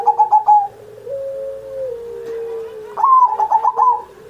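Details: Perkutut, or zebra dove, in full 'gacor' song, used as a master recording to coax other pet doves into singing. A staccato run of short notes, a long drawn low coo, then a rapid stuttered phrase.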